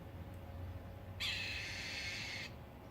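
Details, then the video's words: Bird heard on Memorial Day weekend giving a strange sound: a single harsh, hissing screech lasting just over a second against quiet background noise. "Bird sings so strange sounds"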